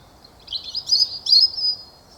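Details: Eurasian nuthatch giving its trilling call in Hainault Forest woodland east of London on a fine, chilly mid-April morning: high, thin trilled phrases in two or three quick bursts over about a second and a half, against faint hiss.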